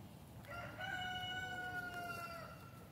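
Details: Free-range Olive Egger rooster in a backyard flock giving one long, steady crow, held flat for about two seconds before tailing off, over a hiss of background noise.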